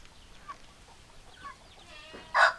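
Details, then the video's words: Hens and roosters cluck quietly and sparsely, then one sudden loud, harsh squawk rings out at the very end. "Chicken Sounds Noises Hens Clucking Roosters Crowing"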